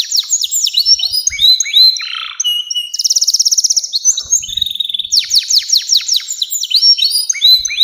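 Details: Canary in extended song, meant as a model for young canaries: fast chains of whistled slurs, a dense buzzing rattle, then more bright repeated trills, with faint knocks in the background.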